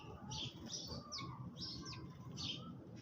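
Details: Several sparrows feeding in the early morning give a busy run of sharp chirps and short slurred notes, almost continuous, with a low background hum throughout.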